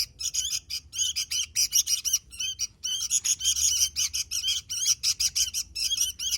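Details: Sooty-headed bulbul singing vigorously: a dense stream of rapid chirped notes with rising and falling inflections, delivered in bursts broken by brief pauses.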